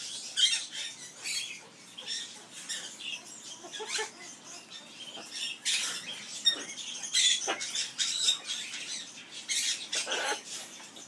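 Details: Captive Amazon parrot's skimmeradinkadinkadink song, a dense run of scratchy, rasping high chatter. Short squawky bursts follow one another almost continuously, with brief tonal squeaks mixed in.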